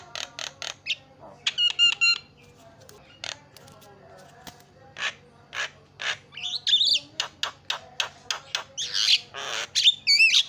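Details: Javan myna singing energetically to get other mynas chattering: quick harsh notes, a stuttering metallic phrase, then an accelerating run of raspy chacks broken by twisting whistles and wheezy bursts.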